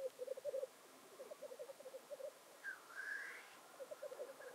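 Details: Black grouse performing at a traditional North Wales lek near Llandegla Forest and World's End, February 2019. Pulsed bubbling phrases in quick beats, with a single drawn-out hissing sneeze rising in the middle.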